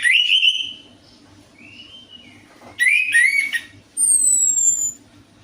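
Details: Orange-headed thrush song used as a lure to prompt a caged bird to sing: warbled whistled phrases around mid pitch alternating with high thin descending whistles and a short rich burst, with a low steady hum beneath.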